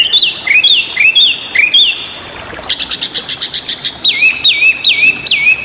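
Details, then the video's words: Very vocal Chinese hwamei singing for songbird training: looping slurred whistles, a fast burst of about a dozen clipped high notes, then four loud repeated swooping whistles. "burung wambi super berisik/Hwamei bird"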